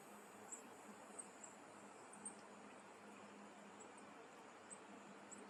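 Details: Goldcrests, Korea's smallest winter visitors, moving constantly among old pine branches in November, give very high, thin, brief 'zee' notes singly or in quick pairs every second or so over steady background hiss.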